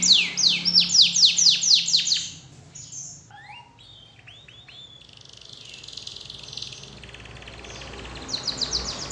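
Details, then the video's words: Canary song as a lure for other canaries: fast swooping whistled notes at first, then softer slurred calls and a quieter stretch of background noise before a brief burst of chirps at the end. "PANCINGAN SUARA KENARI INI, DIJAMIN IKUT GACOR DAN BUNYI"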